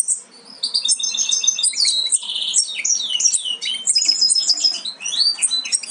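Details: European goldfinch fledglings almost ready to leave the nest, from a Major carrier of aminet crossed with Parva Ancestral; dense, continuous high twittering with overlapping thin chirps and trills throughout.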